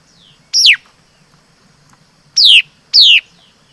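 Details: A laughingthrush (chim mi đất) sings one sharply falling whistle, pauses nearly two seconds, then gives two more long, strong down-sweeping whistles in quick succession.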